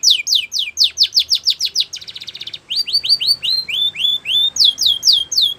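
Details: Song of a Belgian canary: quick series of descending whistled notes, a short buzzy rattling trill, then rising sweeps and more falling slurred notes delivered at a brisk, fairly steady pace.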